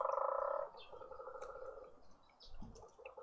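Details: Burchell's coucal on a long visit to a feeder in a suburban garden in Pretoria, South Africa, intimidating the other birds: a loud, low, hollow rapid pulsing that breaks off and trails away in softer bubbling notes, with faint small-bird chirps behind.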